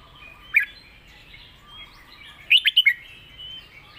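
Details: Red-whiskered bulbul giving a master song: a single sharp whistle, a quiet pause, then a fast loud phrase of four liquid, bubbling notes, followed by soft high chatter.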